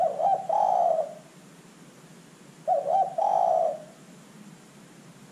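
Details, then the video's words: Zebra dove calling as a lure to get other birds to answer: two rolling coo phrases, a stuttered lead-in then a sustained trill, separated by about two and a half seconds, with another beginning at the end. "LANGSUNG IKUT BUNYI dengan pancingan terkukur GACOR ini"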